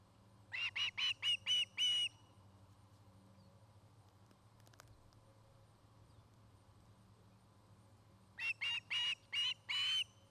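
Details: Osprey at a nest near Charlo, Montana, where a pair is building a new nest, giving two series of loud, sharp, repeated piercing whistles, about six notes each, separated by a quiet gap with a low hum.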